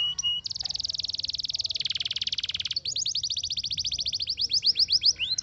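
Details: Singing canary: a long, very rapid high trill shifting pitch partway, then a series of quick descending sweeps speeding into rolled notes.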